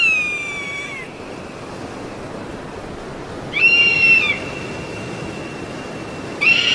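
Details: Series of high, shrill eagle whistles, each under a second and slightly falling, spaced roughly three seconds apart, with a faint continuous hiss between calls.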